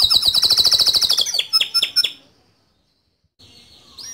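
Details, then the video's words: Male canary song in a rolling, shooting style for training young canaries: a fast high trill and four sharp falling notes, then a pause and a faint buzzy phrase. "Suara Kicau Kenari Jantan Gacor Ngerol Nembak Cocok Dijadikan Masteran Kenari Muda"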